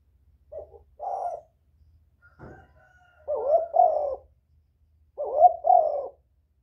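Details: Spotted dove calling to attract other doves, paired hoarse coos repeated after pauses, with a brief sharp click near the middle of the recording.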